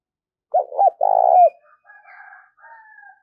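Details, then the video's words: Spotted dove cooing, used to stir a decoy bird into calling: two short low notes, then a long vibrating purr that slurs downward, followed by faint high whistled chirps from another bird. "tiếng cu gáy kích bổi nhanh nổi xiêng gáy và tập mồi rất hiệu quả"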